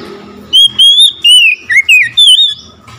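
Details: Oriental magpie-robin singing after hearing another magpie-robin: a rapid string of six loud whistled notes, level, falling and rising in turn, delivered within about two seconds.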